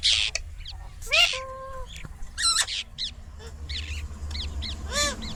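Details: Indian ringneck parakeet, a talking pet parrot, giving harsh screeches and arched whistled notes at irregular intervals over a steady low hum.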